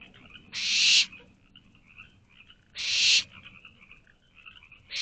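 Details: Barn owl owlets inside a nest box late at night in May 2023, begging for their parents to bring food; loud rasping hisses lasting about half a second, repeated every two seconds, with soft chittering between them.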